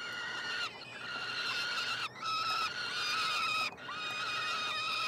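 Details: Peregrine falcon chicks at feeding time in a nestbox at the University of Montreal, Quebec, in June; three sustained raspy wails, each ending with a slight downward slide, separated by short breaks.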